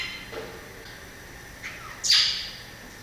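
Variable oriole: a few faint, thin notes followed by one loud, harsh, slurred note that drops in pitch and fades out.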